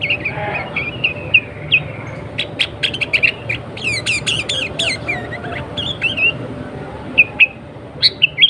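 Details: Chattering sooty-headed bulbul song, used as a lure for wild and home-kept bulbuls: rapid sharp chirps and rising-falling whistles in busy clusters, intensifying mid-phrase, with a steady low hum behind.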